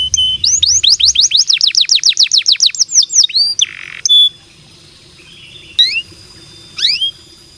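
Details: Canary singing, a recording meant to prompt other canaries into song: a rapid run of about twenty rising whistled notes, a brief harsh buzz, then a pause and scattered sharp upward chirps.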